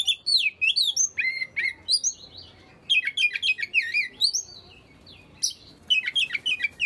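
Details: Oriental magpie-robin singing, used to spur reluctant birds into song; dense runs of twisting whistles and buzzy trills, a pause near the middle, then renewed bursts of bright, high notes.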